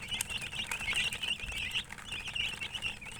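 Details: Several chicks give sharp, high peeps in quick succession, some notes standing out clearly above a busy, overlapping chorus and a soft low hum.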